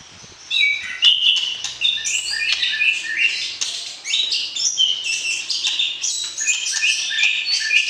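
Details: Caged white-rumped shama, paired for breeding, singing to arouse a partner: a lively, crowded sequence of sharp chips and bright whistles, with a faint low hum underneath.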